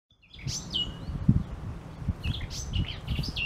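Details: Eurasian blackcap singing after its return: short bursts of bright warbled and whistled phrases, separated by brief pauses, over steady low rumbling background noise.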